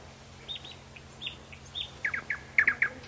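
A Thrush Nightingale sings a phrase of soft high whistled notes, then a few loud, rich repeated notes that grow stronger toward the end, over a faint low hum.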